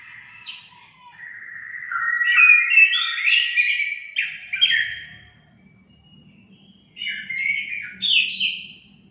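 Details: Orange-headed thrush song played to encourage caged birds to sing: a long warbled phrase of varied whistles, a short lull, then another bright phrase.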